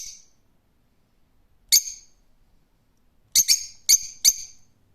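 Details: Rose-ringed parakeet calling with loud, harsh high screeches: one isolated cry, then a quick cluster of four grating calls, otherwise quiet.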